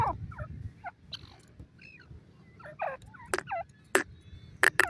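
Grey francolin chicks give a quick jumble of hoarse, chirping calls at mid pitch, broken by a few sharp clicks or knocks close by.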